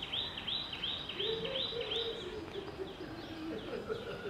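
Yellow-footed green pigeon giving a low, mellow, wavering whistle, while another bird repeats high, sharp chirps about three times a second.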